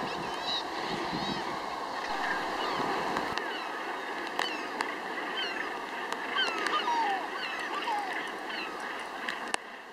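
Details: Crowded gannet breeding colony at Troup Head in the UK, many birds calling at once in a rasping, overlapping din, with gusts of wind and a few sharp clicks.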